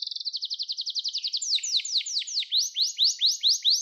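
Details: Canary song for training young canaries, a quick high trill slowing into wide, drawn-out downward sweeps repeated roughly three times a second, with faint very high ticks above.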